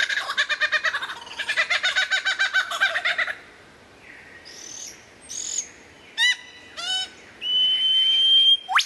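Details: Lyrebird opening with a fast rattling pulse series for about three seconds, then separate whistled sweeps, sharp clicks and a long steady high whistle.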